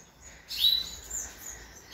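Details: Five budgerigar chicks inside a nest box giving a brief burst of thin, high chirps, soft and muffled, then a fainter second flurry, over a quiet background.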